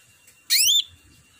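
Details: Cucak ranting, a bulbul-type songbird, giving one loud whistled note that sweeps upward and then slides down, under half a second long, with several bright harmonics above it; quiet low rustling in the background.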